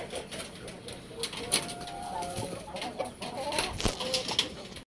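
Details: Indio Gigante hens being given simple feed. Soft, low, drawn-out clucking tones sound over a constant rustling and clattering background.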